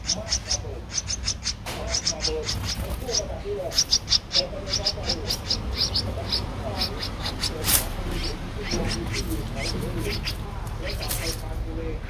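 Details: Thirteen-day-old streak-eared bulbul nestling recorded on 15 April 2023 in Ubon Ratchathani, Thailand. High, sharp clicking notes come in rapid runs, some louder and broader, over murmuring mid-pitched sounds and constant low background hum.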